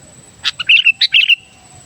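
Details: Sooty-headed bulbul song used to lure wild bulbuls: a sharp note, then two quick bubbly phrases of fluty, warbling notes, each ending in a brief level trailing tone, over a quiet background.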